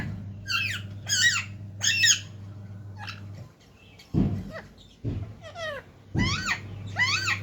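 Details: Talking parrots kept as pets: a run of harsh, rasping squawks with wavering pitch, several in quick bursts, then a quiet gap and more drawn-out chattering calls, over a steady low hum indoors.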